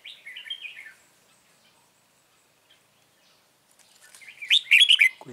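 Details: Red-whiskered bulbul, a wild-caught bird active around a trap with a caged lure bird, recorded 9 March 2020: a warbled phrase at the start, a pause, then a louder burst of bright, chattering notes near the end.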